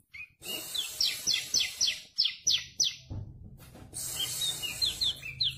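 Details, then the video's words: Tame bar-winged prinia delivering a rapid series of sharp, downslurred high notes, about four per second, broken by a burst of noise, then resuming with softer chirps. "CIBLEK KRISTAL JINAK GACOR DOR"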